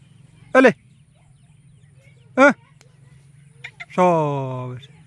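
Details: Free wild Black Francolin with chicks: two loud, harsh, rich-toned calls about two seconds apart, then a longer drawn-out note falling in pitch, with a few faint high chirps just before it.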